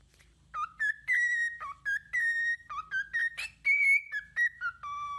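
A bird sings a quick run of about a dozen clear, flat whistled notes, alternating between lower and higher pitches, over a faint low hum.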